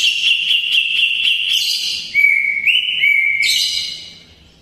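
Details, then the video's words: Greater green leafbird singing a mimicked sooty-headed bulbul song, kept as tutor material for white-rumped shamas; loud, rich whistled phrases with buzzy overtones, then sliding notes that rise and fall, fading toward the end; faint background hiss. "Burung cucak ijo isian kapas tembak dor gacor bocor"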